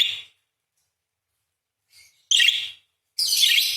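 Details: Parakeet song as short, rasping, high chattering bursts: one brief note, a long pause, a faint chirp, then two louder buzzy bursts, the last one drawn out.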